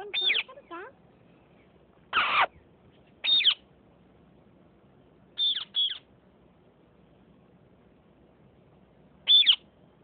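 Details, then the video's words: Sindhi speaking parrots fighting: short, harsh squawks sweeping down from high pitch, in bursts of about half a second at irregular gaps, with one loud broadband clatter near two seconds and quiet background between calls. "Sindhi Speaking parrots.fighting"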